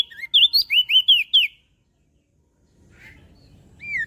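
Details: Mountain leaf warbler singing actively, meant as a lure and tutor for small birds: a quick burst of about eight high, sharply slurred whistled notes lasting a second and a half, then quiet with faint low background rumble and a final slurred note.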